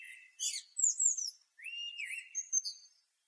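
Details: Asian blackbird song: a mid-pitched warbled phrase followed by high, squeaky twittering notes, in short bursts over about three seconds in a quiet setting.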